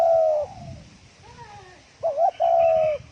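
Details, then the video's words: A spotted dove in the fast 'thổ còi' calling style for rousing other doves: the end of one long coo, fainter distant cooing, then a sharp wobbly double note and a drawn-out steady coo. "Tiếng chim cu gáy thổ còi tốc độ gáy cực nhanh cực chất kích bổi lên nhanh"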